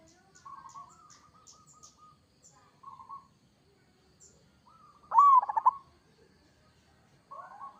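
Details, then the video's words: Kerot song from a local Zebra dove, played to set other doves calling: several soft level whistles, then one loud phrase of an upslurred note and a burst of quick rolling coos. "Suara perkutut lokal gacor kerot AMPUH bikin nyaut seketika"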